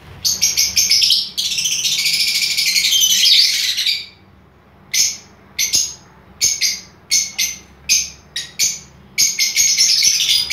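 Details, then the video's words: Aviary lovebirds of several colour varieties, including albino and lutino, break into a long grating chatter lasting about three seconds, then a pause and a string of sharp separate chirps with a faint hum in the background. "Love birds aviary"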